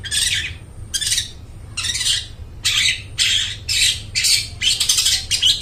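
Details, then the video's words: Long-tailed shrike belting out a lure song for mute shrikes: long grating, scratchy bursts, sometimes run together, loud and harsh throughout. "suara burung cendet gacor suara plong cocok buat pancingan burung cendet bisu"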